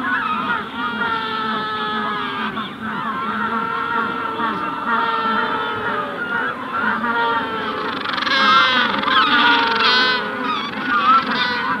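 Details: Magellanic penguins, adults at the hatching stage, calling close by at Punta Tombo with the wider colony in the distance: a dense, continuous chorus of overlapping braying and drawn-out wavering cries with layered harmonics.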